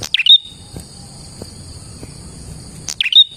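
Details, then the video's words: Prinia used for luring other prinias: two brief phrases about three seconds apart, each a sharp click, quick chattering notes and a thin whistled tail, with a constant shrill hum behind and quiet low rumble. "KICAU BURUNG PRENJAK GACOR ini Manjur untuk PIKAT PRENJAK dan PANCINGAN PRENJAK KLAWU"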